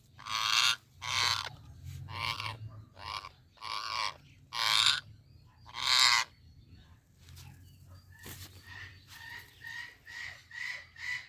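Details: Ringneck parakeet making different sounds: six loud, harsh, broadband screeches about once a second, then a quieter run of short, evenly spaced chattering notes with a steady hum beneath.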